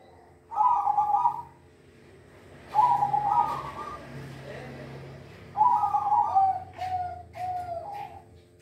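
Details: Captive silver zebra dove in full song: three cooing phrases spaced by quiet gaps, the last broken into a quick run of short, stepped coos, with faint low background hum.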